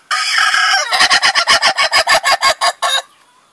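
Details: Ayam ketawa rooster giving its laughing crow close up: a loud, rough held opening note followed by about a dozen quick, evenly spaced pulsed syllables, like rapid rhythmic laughter, then a sudden stop.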